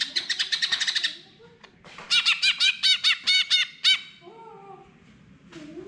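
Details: Greater green leafbird song used to coax a bird that has stopped singing: a quick burst of sharp clipped notes, a pause, then a run of loud ringing arched notes, ending with faint lower drawn-out tones.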